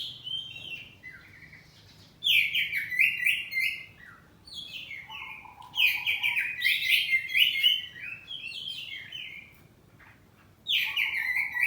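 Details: Oriental magpie-robin (kacer poci), kept at home, singing loud ngeplong phrases in answering style: three bright bursts of fast varied whistles and trills, each followed by lower warbling notes and brief quiet gaps.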